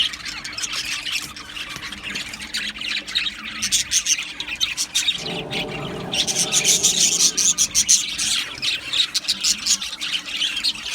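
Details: Pet Australian budgerigars chirping together: dense, continuous chatter of sharp squawks and quick chirps from several birds at once, growing busier and louder halfway through, over a constant low hum.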